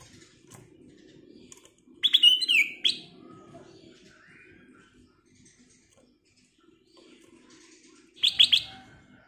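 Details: Black-crested bulbul in chatty prompting song, two short bursts several seconds apart. Each is a quick cluster of bright, ringing whistled notes, with a faint low hum and soft background chirps in between.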